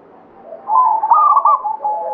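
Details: Actively singing local zebra dove, Banyumili katuranggan type, delivering one loud rolling coo phrase that swells after a quiet start and trails off into a steady lower note.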